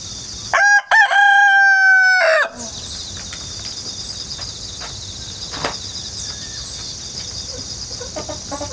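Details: Rooster hatched at home in an apartment and now kept in the countryside, crowing on 1 September 2019, recorded from a ladder with a GoPro and wireless microphone: one loud drawn-out crow with a falling end, then steady insect chirring.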